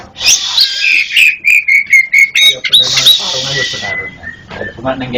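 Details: East Java local black-chested Oriental magpie-robin, masteran recording: a steady run of clear whistled notes, about four per second, interrupted by a harsh buzzy rasp, then a long thin whistle.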